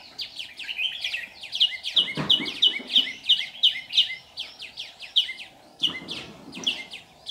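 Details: Red-whiskered bulbul used as a decoy in a trap, singing to lure other birds, recorded 15 July 2019 in Vietnam: dense run of bright, chirpy whistled notes, many sharp repeated phrases about three per second, with a few knocks and rustles.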